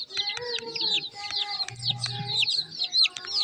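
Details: High, slurred peeping of many chicken chicks over a steady low mechanical hum, with sharp clicks interspersed among the chirps.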